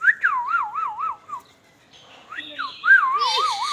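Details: A talking ringneck parrot gives a run of trilling, wavering whistles, falls quiet briefly, then returns with a harsh nasal phrase and another quavering whistled run.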